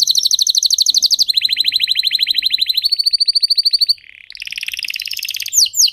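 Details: Canary, one of a trio of master singers, switching between rapid trills: a high buzzy roll, then a lower faster one, a short pause, then a brighter tour and sharp sweeping notes.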